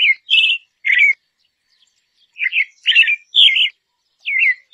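Dusky thrush giving about eight short, harsh, chattering notes in an uneven series, some in quick pairs, with brief silent gaps between.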